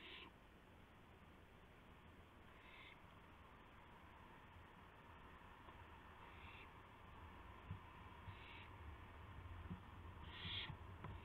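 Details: Owl during a night-time gopher delivery, 12:25 AM, April 7, 2016: rasping hiss bursts repeated roughly every two seconds, five in all, over a constant low hum.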